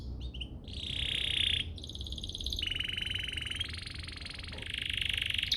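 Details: Domestic canary lure song intended to get other canaries singing; buzzy sustained trills change pitch in steps over a hissy background.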